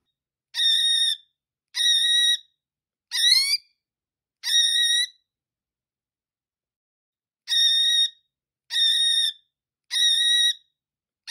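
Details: Cockatiel giving loud, clear whistled calls, each note a flat, rich tone held about half a second. They come in two bursts of four, roughly one every second, with a long silent pause between bursts.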